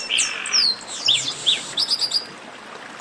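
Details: Chestnut-capped blackbird song in a warm-up chorus: bright whistled notes and slurred downward sweeps tumble together, with a short run of rapid chirps near the end and a quiet hiss behind.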